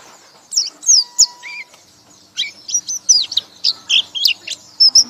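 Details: White-eye (pleci) in ngekek song: a few high swooping whistles, a brief pause, then a fresh burst of bright, rapid, downslurred chirps. A faint steady hum is in the background.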